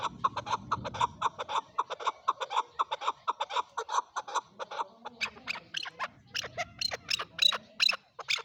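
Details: Male chukar calling in fast clucking bursts for the first half, followed by higher, sharper notes as the series continues, with a faint low murmur underneath at the start.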